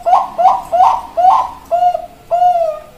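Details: Perkutut Bangkok zebra dove singing on 4 March 2023: four quick gurgling coos followed by two longer, smoother drawn-out notes, clear and close in a quiet setting.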